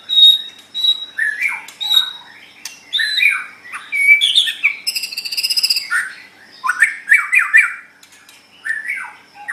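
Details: Kept white-rumped shama used as a song tutor, singing a long, varied sequence of pure high whistles, slurred notes and a buzzy rattling trill midway.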